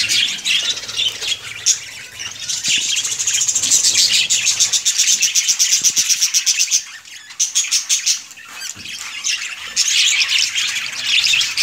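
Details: Budgerigars in a breeding colony: a dense, continuous chorus of high, scratchy chirps and warbles, with rapid ticking trills near the middle and brief dips in loudness.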